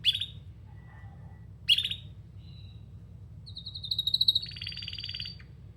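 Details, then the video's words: Canary giving two sharp chirping notes, then breaking into a high rapid pulsed trill that drops into a slightly lower rolling phrase, against a soft low hum. "Canary Singing"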